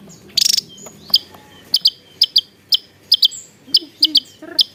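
Javan tesia: a quick buzzy trill, then a run of sharp, very high notes, single or in pairs, about every half second over a faint low background hum.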